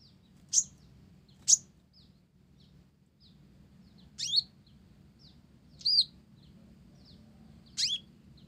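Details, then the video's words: Actively singing blorok (mottled) olive-backed sunbird with Java sparrow material in its song: sharp, high, downslurred chips spaced a second or more apart, with soft high ticks between them. "Konin Blorok Gacor isian Gelatik"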